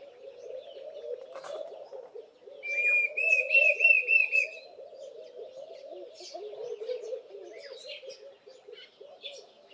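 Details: Loud whistle-like call of a Diederik cuckoo: a quick run of bright repeated whistled notes for about two seconds, rising out of continuous low, bubbling laughing dove cooing that fills the background.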